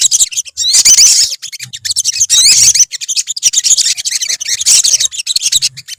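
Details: High-pitched, crowded twittering from a colony of olive-backed sunbirds, with rapid rising and falling trilled notes coming in waves and short gaps, and a faint low rumble underneath.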